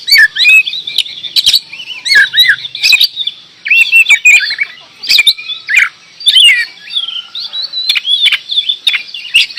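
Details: Kacer, the oriental magpie-robin, in full gacor door song: loud, fast strings of looping whistles and chattering notes broken by crisp clicks, with brief pauses around the middle before bursting on.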